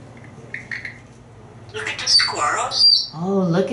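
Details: Talkative male African grey parrot, hatched in 1997 and kept in a home in Texas, watching squirrels from his screen porch: soft whistled notes, then clear speech-like phrases in a harmonic voice with a sharp high whistle mixed in, indoors.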